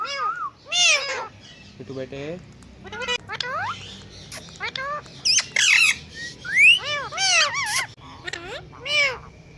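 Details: Talking parrots on a bird stand deliver a long string of arched, harmonic squawks and bright rising whistles, irregularly spaced, with short noisy bursts between them.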